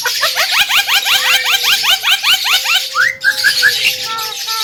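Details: Javan myna singing hard, a master recording for teaching other birds: a fast train of upward-slurred chirps over a held whistle, a rising note, then clear level whistled tones.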